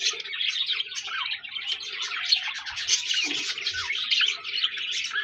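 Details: Chattering budgerigars, several birds at once: busy overlapping chirps, squawky warbles and short rising whistles run without pause, with a soft low hum in the background.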